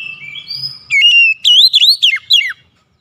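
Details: Oriental magpie-robin song used as a lure for a bird reluctant to sing: soft high whistles lead into a loud steady note, then a lively string of swooping whistled notes ending in silence.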